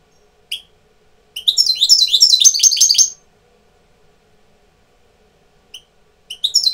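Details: Goldfinch tutor bird entering breeding condition sings a sustained run of fast, liquid, high twitters and buzzy trills lasting nearly two seconds. Isolated single chips and a final short burst follow in an otherwise quiet background.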